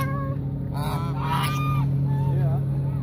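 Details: Hungry geese approaching people at Mueller Lake park, Austin, Texas: a burst of overlapping nasal honks in the middle, then a few drawn-out wavering calls, all over a constant low droning background.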